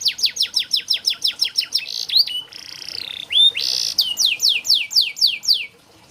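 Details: Canary singing, meant to train reluctant canaries: a fast series of sharp descending chirps, a short buzzy swelling note, then more loud falling slurs slowing toward the end.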